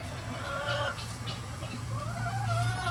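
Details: Chickens of various breeds free ranging on a sunny farm day give drawn-out, wavering, mid-pitched calls that rise and fall, two phrases separated by a short pause, over a low background hum.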